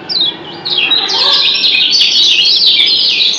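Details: White-eye from Lombok, known as kecial kuning, in an answering 'doble ciak' exchange. One sharp high chirp, then an unbroken, rapid torrent of thin, squeaky, falling notes.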